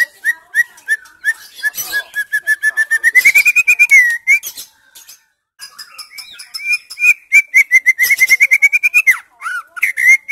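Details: Female white-rumped shama singing to stimulate silent males: long rapid series of clipped whistled notes repeated several times per second, climbing slightly in pitch, with a short pause midway before a second fast run.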